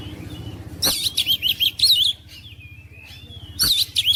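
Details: Oriental magpie-robin song played to push mute magpie-robins into vigorous singing: a burst of quick scratchy chirps, a long thin wavering whistle, then another sharp flourish.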